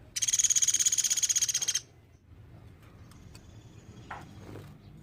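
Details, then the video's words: Sunda pygmy woodpecker in energetic calling form, used to tutor songbirds: a single fast, rattling trill of about fifteen sharp pulses over roughly one and a half seconds. Quiet afterwards, with a brief low knock. "Suara platuk beras gacor nembak"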